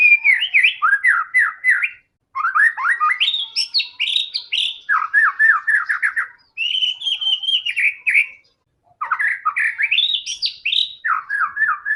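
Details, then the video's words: Prolific white-rumped shama singing as a lure for other shamas: dense bursts of rapid chipping trills and rising whistles, phrases of two to four seconds with short breaks, varied and energetic throughout. "murai batu gacor AMPUH buat PANCINGAN murai batu agar bunyi JADIKAN burung murai yang lain BUNYI"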